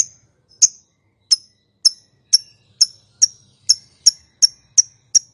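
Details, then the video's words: Calling lovebird used to draw a reply from mute birds; crisp high ticking chirps repeated roughly every half second, growing closer together, over a faint low hum. "Suara Burung Lovebird, Memanggil, Yang Bisu Langsung Nyaut, Ngekek Panjang"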